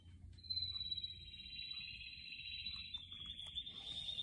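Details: Houseplant setting with a canary delivering one long unbroken rolling trill, steady and rich, lasting nearly four seconds over low background hum.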